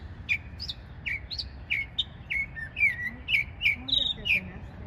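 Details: Small bird singing its heart out: a steady run of crisp high chirps and slurred whistles, about two per second, with faint low murmuring in the background.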